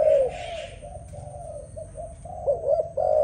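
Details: Dove cooing: soft, low, hollow coos held near one pitch, several linked phrases across a few seconds with a louder upturned note near the end, over a faint low background hum.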